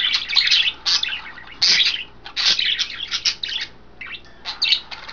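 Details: Several captive budgerigars, three females taking baths in vegetables and a water dish: busy, scratchy chattering with warbled chirps and short squawky bursts, coming in uneven clusters with brief gaps.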